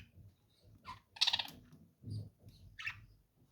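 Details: A sharp, grating squawk from a lovebird, followed by a softer rasping chirp, with light low thumps and rustling underneath.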